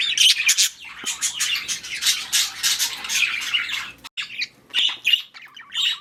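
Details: Budgies in breeding and mating activity give a busy stream of scratchy chirps and squawks, loud for four seconds, then a brief gap before more sharp calls.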